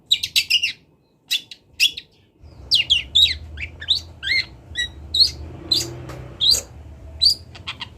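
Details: Long-tailed shrike of Kendal origin singing with mimicry: a few sharp high notes, a brief pause, then a steady series of short descending whistled chips roughly twice a second, with low hum.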